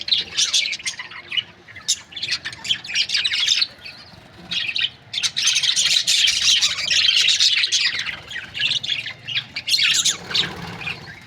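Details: Budgerigar breeding pairs, Australian parrots, in a busy flock chorus: rapid overlapping chirps and buzzy warbled notes, several each second, pausing briefly near four and nine seconds before resuming.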